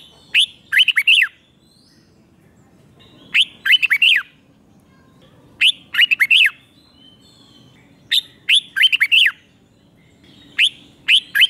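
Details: Red-whiskered bulbul from Thailand singing a doubled five-syllable song meant for young birds to copy: short bursts of four to five sharp, chirpy whistled notes, repeated roughly every two and a half seconds, with quiet gaps between phrases.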